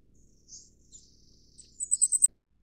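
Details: Flamecrest (Taiwan-crest), a bird endemic to Taiwan: thin, very high-pitched notes, a few soft slurred ones spaced apart, then a quick run of about five sharp, bright notes before abrupt silence; quiet, no other sounds.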